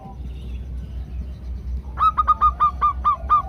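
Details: Female zebra dove calling the male within a chorus: after two seconds of low rumbling background noise, a fast run of about eight sharp, repeated notes at a steady pitch.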